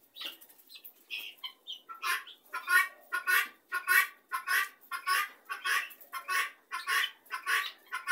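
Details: Helmeted guineafowl gathered together as a flock: loud, harsh, rasping calls repeated steadily about every half second in a rhythmic chattering series, each burst coarse and grating, after a few scattered softer notes at the start.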